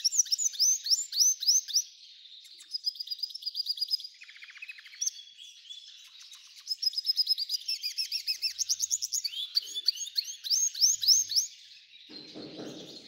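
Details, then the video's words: A long, varied song from an F1 hybrid goldfinch: bursts of rapid rising chirps, buzzy trills and twittering phrases separated by short lulls. A brief low rumble comes near the end. "Belo canto do F1"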